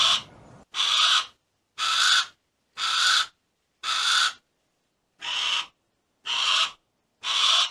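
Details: Harris's hawk giving harsh, raspy, broadband screeches, eight drawn-out bursts about one per second, each roughly half a second long, separated by clean silent gaps, with no other sounds.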